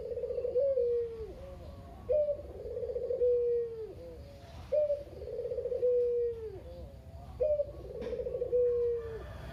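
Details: Barbary dove, local kugeru puter kept at a family home, the only one left of a pair, cooing to encourage sluggish doves to call. Four coos about every two and a half seconds, each rising, purring, then sliding down.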